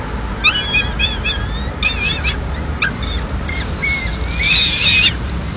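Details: Mid-morning feeding at a Madrid peregrine falcon nest, the female bringing in part of a pigeon; a busy series of short, rising and falling wailing notes, building into a louder burst near the end.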